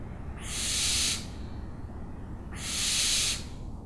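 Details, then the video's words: Owl uttering two drawn-out hissing screeches, each near a second long and separated by about one and a half seconds, over faint low background noise. "OWLS SOUNDS"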